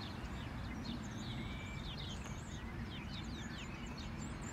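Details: A common starling, newly returned in spring from Mediterranean wintering grounds, sings from above a sparrow-filled hedge on a grey day: rambling whistles, chirps and clicks, imitating other birds, including golden oriole song, over low rumbling background noise.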